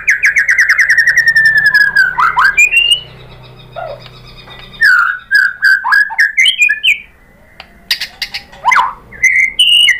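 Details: White-rumped shama singing, played as a lure to make other shamas respond: a long descending buzzy trill, then varied clear whistles, rising and falling notes and sharp chips with brief pauses between phrases.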